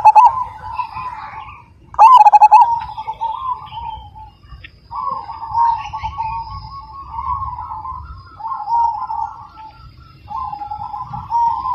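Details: Frequent-singing Majapahit zebra dove with a big voice: a single loud, pulsed coo phrase stands out from a steady background chorus of softer, warbling doves that fills the rest of the clip.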